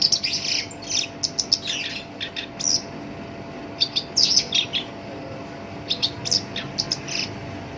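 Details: Black-browed reed warbler, prized for its coarse voice as a lure to trigger other birds, sings short clusters of sharp, scratchy chips and squeaks separated by brief pauses, with a low background hum.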